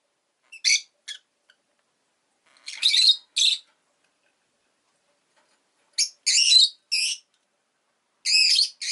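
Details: Rosy-faced lovebird kept as a pet, calling in clusters of shrill, buzzy chirps separated by pauses of two to three seconds, with quiet gaps between.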